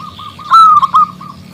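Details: Local zebra dove with a big, crystal-clear voice, calling a male. One loud ringing note, a brief pause and a second bright note stand out over softer, evenly repeated coos.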